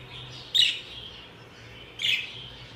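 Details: Budgerigar chirping in the morning: two short bright high chirps about a second and a half apart over a steady low hum.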